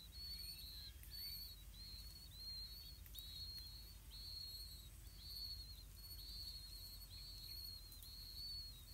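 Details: Blue-winged pitta nest, with parents bringing earthworms to feed the chicks. Thin, high, slightly downslurred whistled notes repeat rapidly and unevenly, about once a second, over a steady low background hum.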